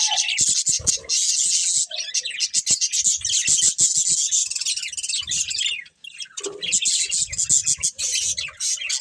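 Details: Budgerigar breeding pair chirping over food: steady, dense, high chattering warble mixed with sharp clicking pecks, one short gap, then more of the same.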